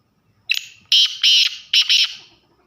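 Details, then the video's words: Black francolin male calling in breeding season, a rasping five-note phrase: a brief opening note, two drawn-out grating notes, then a quick closing pair, loud and clipped, with little background noise. "کالا تیتر بلائی ویڈیو"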